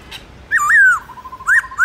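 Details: Morning 'forest voice' duel song of a Black-throated laughingthrush kept for song training: one long, bright whistle that swoops up, wavers and slides down, then a thin, steady low note and a rising whistle starting again.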